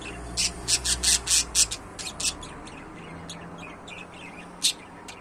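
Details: Kept budgerigars squawking: a rapid run of about eight loud, harsh, scratchy calls in the first two seconds, then softer high chatter and one more sharp squawk near the end, with faint low hum behind.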